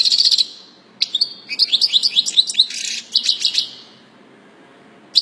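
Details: European goldfinch giving song presented as error-free: bright tinkling twitters, a run of quick rising slurred notes and dense buzzy chatter, with short pauses between bursts; otherwise quiet.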